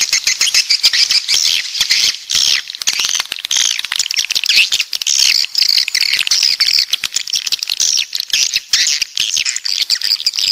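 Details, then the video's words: A busy swiftlet chorus, coastal birds from the south: continuous high, buzzy twitters and chirps overlap with a steady stream of sharp clicks, with no break for ten seconds. "Suara Walet Pantai Dari Selatan"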